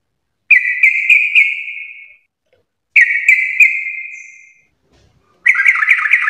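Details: Sooty-headed bulbul in 'full garuda' gacor song: three separate bursts of four or five quick, ringing notes, each fading in a drawn-out tone, spaced by clean pauses about two seconds apart.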